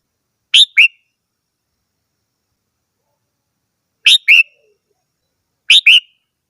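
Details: Singing red-whiskered bulbul giving three brief two-note phrases, a bright whistle dropping into a lower slur, with long silent gaps of up to three seconds between them.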